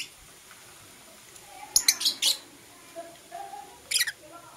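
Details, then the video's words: Blue Opaline and Euwing Opaline lovebirds kissing in the morning, giving a few sharp, high, buzzy chirps in short clusters, with quieter lower notes in between and a faint background hiss. "Lovebird Chirping Sounds"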